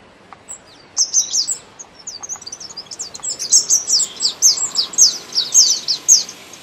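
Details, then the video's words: Thrush nightingale in spring: soft scattered notes build into a loud, fast run of repeated high downslurred notes, delivered about two per second and growing stronger toward the end. "Singing nightingale"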